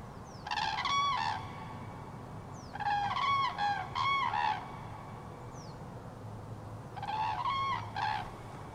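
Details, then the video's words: Common cranes in autumn 2023 give loud, rolling, trumpeting calls in three bursts of overlapping voices, each about a second long, over a low steady background hum. "Klęgor żurawi"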